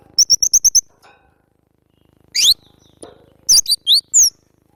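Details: Cinereous tit (glatik batu) on a training recording for cage birds: a fast run of six short high chips, then a steep rising sweep, then loud, sharply down-slurred whistles in quick bursts.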